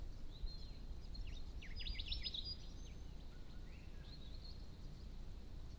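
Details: Red-capped Robin, seen in small numbers at ponds in spring and summer, gives a brief, dry, high-pitched ticking trill of rapid notes with a few thin whistles around it, over a steady low rumble of wind.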